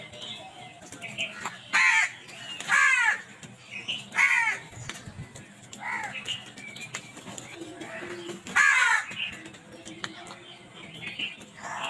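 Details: Crows attacking food, giving a series of loud, hoarse, downward-arched caws at irregular intervals, with quieter calls from other crows between them.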